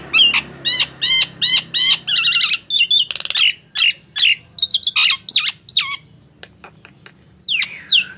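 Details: Nias hill myna singing so that silent mynas respond: steady series of loud, ringing notes, a brief rattling buzz, then varied slurred whistles and squawks tapering into sparse calls with a low background hum.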